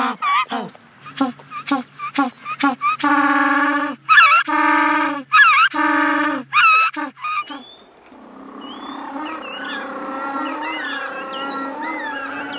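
An African penguin brays, with short clipped notes leading into long, harsh, donkey-like honks.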